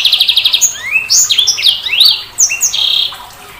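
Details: Sanger bird song opening with a fast string of short even pulses, then a tumbling mix of rising slurred whistles and sharp chirps, ending on a held high note.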